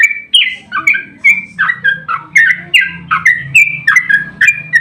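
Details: Sooty-headed bulbul song played to provoke other bulbuls into answering: a steady string of loud, slurred whistled notes, each dropping in pitch, about two per second, over a low background hum.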